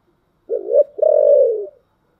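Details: A spotted dove sings in the style known as 'giọng thổ'. It gives one loud low coo phrase: a brief wavering note, a tiny gap, then a long sustained coo sliding slightly down at the end. The background is quiet.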